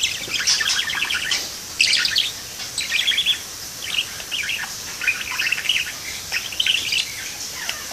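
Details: Parakeet perched in a window, singing a steady scratchy warble of rapid chirps and clicks in clustered bursts, continuing throughout with a faint background hiss.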